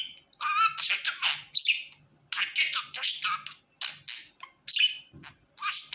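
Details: Pet budgerigar described as happy, chattering in rapid bursts of buzzy, scratchy warbles and short squeaks separated by brief pauses, with some notes possibly sounding like mimicked speech; a faint low hum underneath.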